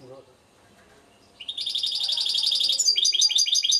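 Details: Goldfinch mule in Suto Orizari launching, after a short quiet moment, into a dense run of fast, rattling high trills that shift into a choppier twittering phrase.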